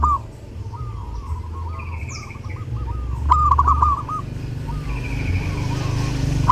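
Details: Zebra dove singing actively during Lebaran, offered as a model song for training other birds: a run of short, bubbling, cooing notes strung rapidly together at mid pitch, with a faint higher chirp from another bird and low background rumble.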